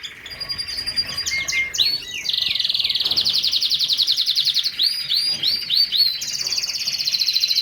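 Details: Lancashire canary singing: a fast, varied string of high trills, rolling buzzy phrases and clear whistled notes, with quick repeated chirps and slurred upsweeps running one into the next.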